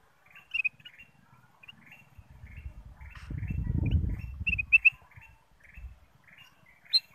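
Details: Ruby-throated bulbul chirping as a lure to set other birds singing. Short high notes spaced through the recording, with a few louder sharp ones, and a low rumbling noise swelling in the middle.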